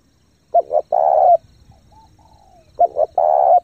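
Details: Spotted dove serving as a lure, cooing fast to attract wild doves: two short notes and a long coo, a soft falling whistle, then the phrase starts again.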